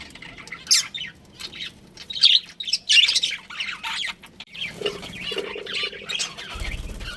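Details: Pet budgerigars of a breeding pair chattering; scattered scratchy chirps and warbles, some quieter stretches, and a low thud near the end.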